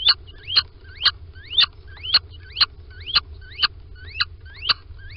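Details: Two little owls going into their nest at Sprundel in the morning of 13 February 2020 give sharp, high, upward-sweeping piping calls about twice a second, each with a clicky onset, over a low steady hum.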